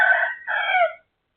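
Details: Rooster next door crowing at 12:12 on 23/01/2568: the loud tail of a crow in two strained, harmonic-rich phrases, the last falling away, then silence.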